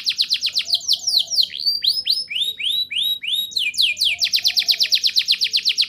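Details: Vigorous canary song, ngerol nembak, used as a prompt for young canaries: fast buzzy pulses, a series of arched whistled sweeps about three per second, closing with a steady rapid trill.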